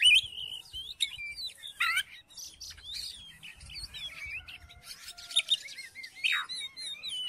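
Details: Oriental magpie-robin song for provoking another magpie-robin to sing: quiet, rambling whistles, rising and falling slurs and scratchy chips, with soft low rumbling underneath.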